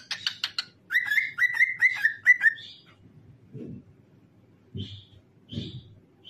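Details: Cockatiel song meant to prompt other cockatiels to sing: quick chirps, then a string of about six short whistles, then two or three faint high notes with soft low knocks between them.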